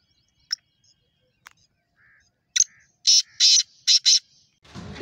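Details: Black francolin (Sindhi kala teetar), Pakistan, giving four harsh, grating bursts in two quick pairs after a few scattered clicks and faint notes; a rush of noise closes the phrase.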